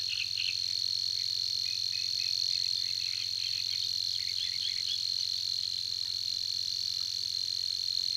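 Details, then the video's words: Savi's warbler at Tancat de l'Illa gives its persistent song, a continuous, rapid, insect-like reeling trill without a break, with short chirping notes from other birds and a low hum beneath. "BUSCARLA UNICOLOR"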